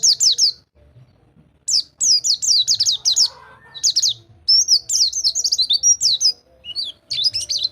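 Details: High-pitched white-eye song, rol tembak style, from a tutor recording for birds that stopped singing: short opening phrase, a pause, then quick repeated downslurred notes and twittering trills.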